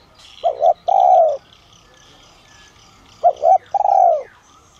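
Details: Spotted dove of the 'son' voice style, calling to draw wild doves in as a decoy. Two phrases about three seconds apart, each a quick double coo then a longer, drawn, slightly falling coo; faint high chirping from other birds behind.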